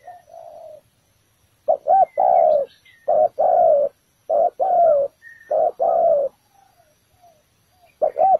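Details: Spotted dove lure at a ground trap, bổi thổ calling: a soft opening coo, then four loud paired coos, each a brief note followed by a longer falling one, about every second and a half.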